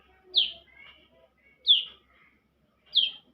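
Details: Young bar-winged prinia sings three clear, sharp downslurred notes at about one-and-a-quarter-second intervals, with a faint thin whistle after the first; background otherwise quiet.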